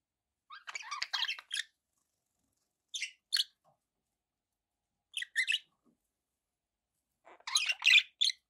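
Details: Budgies chirp in scattered short bursts of scratchy, buzzy notes separated by gaps of one to two seconds.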